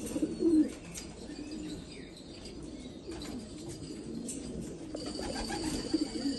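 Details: Black Afghan pigeons in Afghanistan give low coos, loudest at the start and end, with wing flapping and a few light chirps in between.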